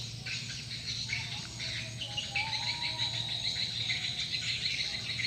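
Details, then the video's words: Lure call for swiftlets: rapid overlapping high chirps and twitters repeated roughly twice a second, with a faint thin whistle midway, against a constant low hum. "Suara Panggil Walet"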